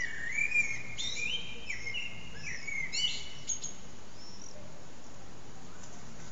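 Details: Common blackbird singing from an antenna for nearly three hours; several clear, sliding whistled notes at mid pitch follow one another with high chittering flourishes, then the song stops, leaving soft low hum.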